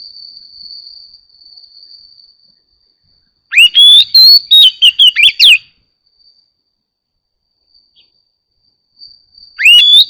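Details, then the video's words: Oriental magpie-robin singing in the morning: one lively phrase of clear rising whistles and fast chirps, a long pause, then a new phrase beginning with an upslurred whistle, and a faint steady high tone. "Chòe than hót múa"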